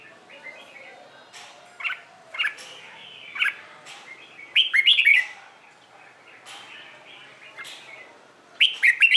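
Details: Training recording of a red-whiskered bulbul's morning fighting song; scattered sharp chirps lead into bursts of liquid, warbling whistled phrases, with a strong phrase midway and another at the end.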